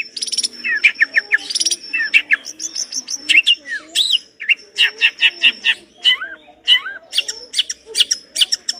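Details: Long-tailed shrike, a complete song full of rich imitated fill-ins: continuous chattering mix of buzzy bursts, quick chirps, upslurred and downslurred whistles and short rattles, varied from phrase to phrase.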